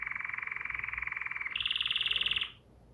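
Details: Song of a bulbul: a dense, fast pulsed trill that jumps higher partway through, then cuts off into quiet.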